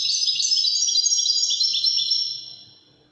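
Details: European goldfinch delivering a dense, high, rippling trill of Wedani song that slowly fades away into silence.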